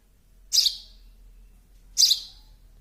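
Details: Baby sparrow giving two strong, high, harsh chirps about one and a half seconds apart, each sharp at the onset and quickly fading.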